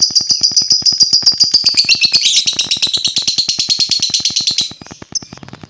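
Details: Lovebird sound used to provoke other lovebirds: a long, dense, high chattering trill lasting about four seconds that gradually drops in pitch before breaking off, over a steady low ticking pulse.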